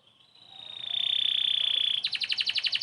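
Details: Domestic canary in energetic song, used as tutor material for White-rumped Shamas: a long, steady buzzing trill swells in loudness, then breaks into a fast series of sharp, repeated chirps.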